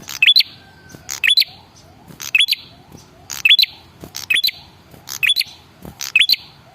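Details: Male red-headed prinia giving a lure call to prompt other birds to answer: quick high upslurred chirps paired with dry clicks, about one burst per second.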